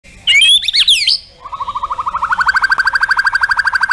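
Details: White-rumped shama song of contest-style bursts (tembakan) with fill-in phrases (isian): a few sharp looping whistles, then a long rattle of rapid, even notes that speeds up and grows louder.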